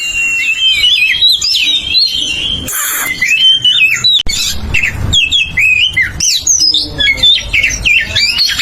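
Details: {'caption': 'Oriental magpie-robin singing loudly as a lure for other magpie-robins: twisting whistles mixed with harsh scratchy bursts, a short noisy crackle near the third second, then quick varied phrases resuming.'}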